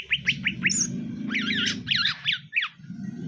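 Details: Greater green leafbird pair, male and female, brought together for mating and said to call vigorously. Four quick rising chirps lead into a harsh, tangled burst of squawky, warbled notes, over low background rumble.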